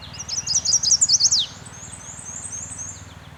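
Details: Chestnut-sided warbler singing a high, quick series of sweet chipping notes that climbs slightly, then ends in a sharp downslurred accent. Fainter high notes follow, with a low rumble underneath.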